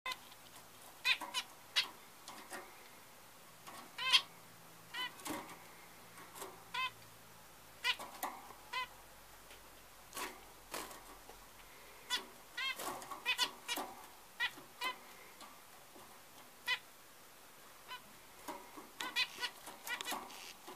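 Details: A zebra finch chick six hours old gives thin, high, rapid begging peeps in short irregular bursts.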